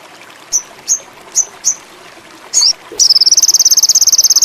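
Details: Ruby-cheeked sunbird (sogon indigo) used as a lure song for birds in high breeding condition: four short, sharp, high chirps, a brief buzzy note, then a fast, even, very high trill.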